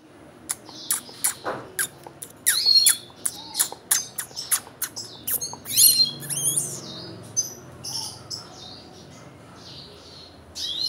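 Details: Red siskin chick, ten days old, hand-fed by a keeper, gives rapid high, thin chirps and squeaky begging notes in quick bursts, some rising and falling, with soft handling noises underneath.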